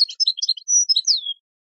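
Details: European goldfinch song, offered for training birds: a quick burst of tinkling, twittered high notes, then a sustained clear whistle and a slurred note sliding downward, all within about a second and a half, with no other sounds.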